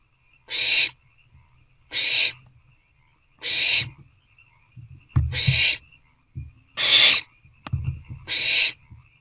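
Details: Trio of owlets in an owl box, 22 April 2024 around 8:35 pm, one or two with food: six even hissing screeches, each under half a second, repeated about every 1.5 seconds, with bumps and scraping of movement between calls.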